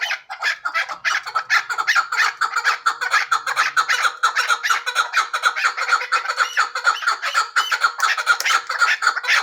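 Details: Hybrid chukar partridge producing a continuous rapid chatter of harsh, rhythmic clucks. The calls come about twice per second and hold a steady pace and loudness throughout.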